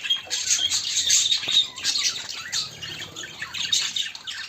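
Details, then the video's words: Budgerigar chatter from pet birds, a white one reportedly searching for a mate: rapid, raspy warbling mixed with bright squeaks and short squawks, many overlapping notes at a steady busy pace. "my white😍handsome budgie are finding for mate"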